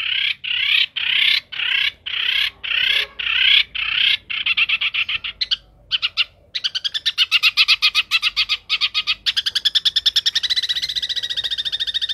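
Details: Long-tailed shrike in full, lively song with a rich, varied repertoire: bright, high whistled and chattering notes in quick bursts, changing partway into long runs of fast, evenly repeated sharp notes.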